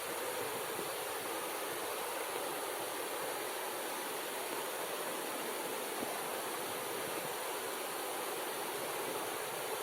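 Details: Steady broadband rushing like falling or flowing water fills the whole recording, with no animal calls standing out.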